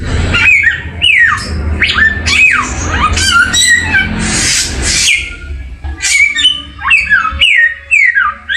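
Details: Samyong bird song for masteran over a noisy background: falling swooped whistles and chattering notes, a hissing rush in the middle, then sharp downward-sweeping whistles near the end.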